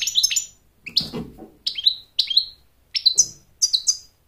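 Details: Short, clear downslurred whistles and chips from an American goldfinch singing to attract a mate and instruct chicks, given in separate bursts about every half second to second, with a soft low rustle.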